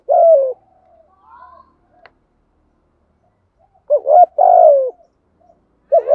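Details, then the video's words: Spotted dove calls in the special 'thổ thúc gù' voice style, used to train decoy birds. A hoarse coo opens, soft faint notes follow, then a stuttered double coo and a long slurred, falling coo, with another starting at the end. "cu gáy giọng thổ thúc gù, giọng đặc biệt hay"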